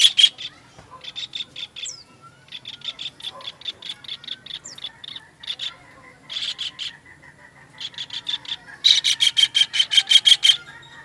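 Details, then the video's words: Kingfisher call series made as a master recording for songbird training. Bursts of harsh, rasping notes run in quick trains about three per second, with short pauses between trains and a few brief high downslurred whistles mixed in. "MASTERAN TENGKEK UDANG"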